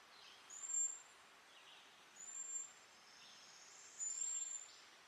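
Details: Cedar waxwing giving very high, thin, hissing whistles, three drawn-out notes about one to two seconds apart over soft background hiss.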